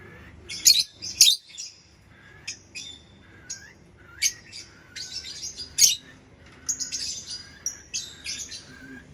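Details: Lovebird chirping busily with rapid, shrill, squawky notes, some loud and explosive, mixed with a continuous high chatter over several seconds.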